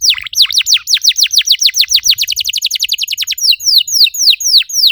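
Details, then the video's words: Canary song meant to stimulate other canaries to sing, a long rapid series of descending whistled sweeps, quickening in the middle and slowing toward the end into broader falling notes. "PANCINGAN EFEKTIF BURUNG KENARI, CORR DORRR!!"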